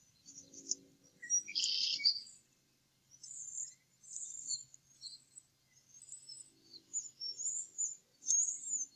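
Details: At an Upper Mississippi River Refuge nest in early April, two adult male eagles eat leftover food after the eaglets are fed: a loud shrill chittering burst, followed by thinner high squeaks and chirps.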